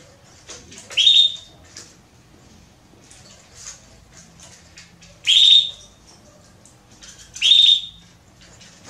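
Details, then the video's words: Female Belgian canary calling for a mate: three loud, short whistled notes, each rising then held briefly at high pitch, spaced about two to four seconds apart, with soft faint chirps in between. "Canário Belga Fêmea Pedindo Gala"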